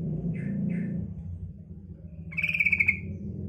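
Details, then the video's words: A female yellow-vented bulbul gives two quick, husky chirps followed by a short, fast chattering rattle over a steady low rumbling hum. The call is used as a lure for young bulbuls. "suara panggilan trucukan betina"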